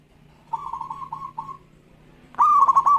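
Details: Local zebra dove in fast-responding, lively song: softer rolling coos from another dove first, then a loud phrase of a clear note and quick trilled pulses, over a low steady hum.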